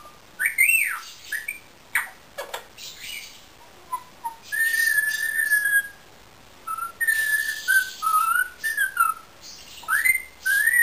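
A pet ringneck parakeet whistles in clear, tuneful phrases: rising swoops and level held notes, broken by a few short harsh chirps, with quiet gaps between.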